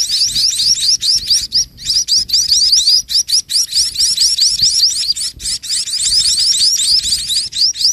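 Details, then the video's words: Munias at dusk as the mother feeds her chicks toward evening: a dense, continuous stream of high, thin, upswept chirps, many overlapping, repeated several times a second, with short gaps. "MENJELANG MALAM INDUK BURUNG PIPIT MAKIN GENCAR MENYUSUI ANAK ANAKNYA"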